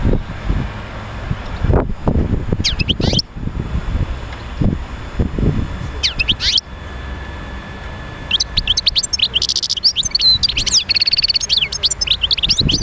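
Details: European goldfinch singing, a recording used to encourage other goldfinches to sing: scattered high twitters early on amid low rumbling noise, then from about eight seconds a lively run of tinkling chirps and buzzy trilled notes.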